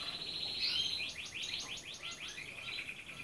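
A red canary sings a rapid, bright run of rolling trills and sweeping high notes, each phrase repeated several times a second.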